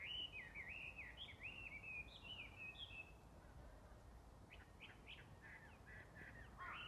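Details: Unseen small bird singing in early spring on 5 March 2022, around the season of insects stirring, in a gentle breeze: soft, warbling, twisting phrases, then a pause and a run of short chirps, over steady wind noise.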